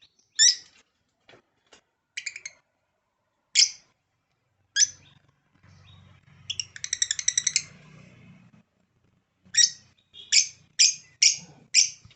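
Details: African lovebird giving shrill, high squeaky chirps in short separate bursts, with a quick rattling run of chirps midway and a fast series of sharp notes near the end; faint low hum underneath.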